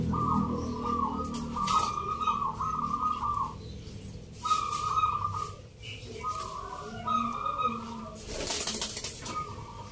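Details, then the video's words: Local zebra dove singing in a Nglagu Ngepat Mentaraman contest in Yogyakarta, 19 November: long trilled coo phrases followed by shorter notes after a pause, with low murmuring voices and a rush of noise near the end. "Pertarungan sengit Perkutut lokal irama 😱Suaranya ngerih"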